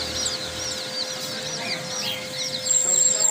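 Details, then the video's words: Young chicks cheeping constantly, a dense chorus of high, thin peeps that rise and fall rapidly and overlap. A steady electrical hum sits underneath, and a sharp high tone appears near the end. "chicks chirping sounds"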